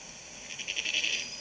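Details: A Powerful Owl in south-east Queensland gives its bleating call, a harsh, quavering, nasal, sheep-like note pulsing for under a second over faint hiss. The call is used to communicate with each other and with chicks, and sometimes for an hour before mating.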